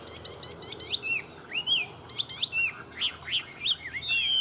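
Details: A tame Chinese hwamei, said to sing well, gives a rapid, varied run of clear, slurred whistles, rising and falling notes and sharp chirps with hardly a pause.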